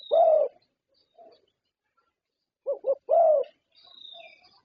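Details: Prize-winning Thai zebra dove: one mellow low coo, a pause, then a quick double note and a longer rolling coo. Soft chirping of other birds is heard in the background.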